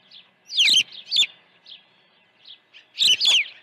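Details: Osprey at the Dunrovin Ranch nest, early feeding on 1 June 2019 shortly after 8 a.m.: two loud bursts of overlapping high, falling chirps separated by a quieter pause with soft squeaky notes.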